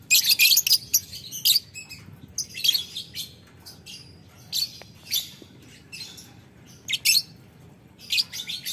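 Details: Lovebird calling a rival with ngetik ngekek sounds: short, harsh, high chattering bursts broken by gaps of quiet, returning several times.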